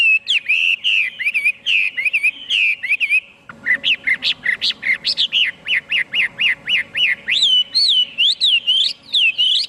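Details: Chinese hwamei singing loudly, a varied whistled phrase followed by a long rapid string of repeated sharp notes, ending with looping rising-and-falling whistles.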